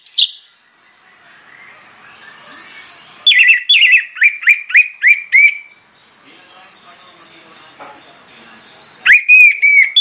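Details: Orange-headed thrush in full, forceful voice as a lure for other birds to sing: a run of about ten clipped, falling whistles, then a quieter gap of background chatter before another bright, ringing phrase.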